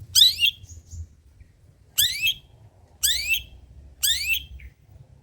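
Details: Long-tailed shrike, a tutor and lure recording of old-style material. Four harsh, rasping bursts come about one second apart, each a loud, scratchy squawk with quiet gaps between.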